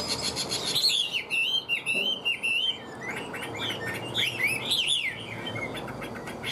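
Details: Caged hwamei, a yellow-billed, yellow-legged, yellow-plumaged bird kept as a songbird, singing loud varied whistled phrases that slide up and down in quick succession, with a brief pause midway.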